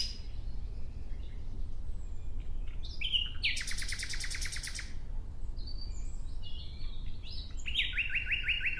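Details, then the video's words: Nightingale song opening with scattered thin whistles, then a loud dense rattling burst of rapid notes, followed by varied whistled phrases and a closing run of quick repeated notes. "Relaxing clear sound of Nightingale"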